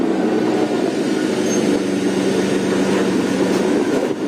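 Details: Loud droning engine hum with steady low tones and mechanical rattle continues throughout; no animal sounds.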